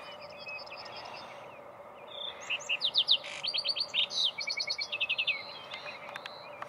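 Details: Lark sparrow song at Sandstone Ranch, Longmont, Colorado, 20 June 2020: a long, varied jumble of sweet whistles, buzzy trills and clicking notes in quick high bursts, with faint high twittering at the start.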